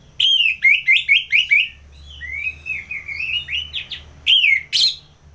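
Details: Orange-headed thrush, a kept competition bird from North Bali, Singaraja, singing in the full-voiced ngeplong style used as a tutor and lure for fighter birds: bright whistled notes, a rapid run of repeated slurred phrases, then a long warbling stretch.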